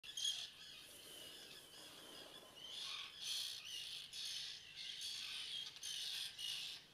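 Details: Juvenile common terns at a breeding colony of several hundred pairs, Seaforth Local Nature Reserve, Liverpool, 31 August 2015; high, harsh grating calls in overlapping bursts of about a second, many birds calling at once.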